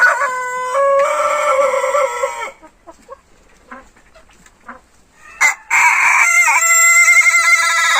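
Two long, harmonically rich crows from an Ayam Ketawa rooster, the first stepping upward and the second breaking into rapid, stuttering laugh-like notes, with a quiet gap between them.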